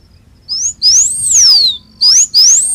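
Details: Blue finch (Porphyrospiza caerulescens) song: high, thin whistled notes sweeping quickly upward, with one longer note arching over and sliding down; four short phrases over a faint low hum.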